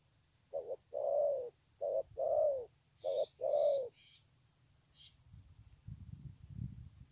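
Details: Spotted dove, wild-caught and noted for its fine voice, Kon Long, 9 June 2020: three low paired coos, short then long and falling, with faint higher chirps from another bird, then low rumbling noise.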